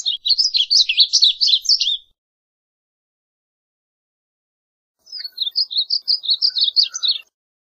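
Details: Varied bunting (Passerina versicolor) delivering two short songs of jumbled high twittering notes, each about two seconds long, separated by a three-second silence.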